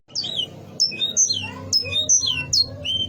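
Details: Sparse, clear whistled notes from a canary singing to stir rivals, each sliding downward, spaced roughly every half second, with a quiet low hum.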